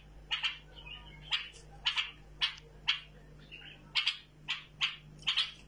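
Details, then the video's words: Bulbul kept tame, giving crisp, high chirps, many doubled, at an uneven pace of about one to two per second. Soft whistled notes fall between some chirps, over a faint electrical hum. "بلبل مطوعه"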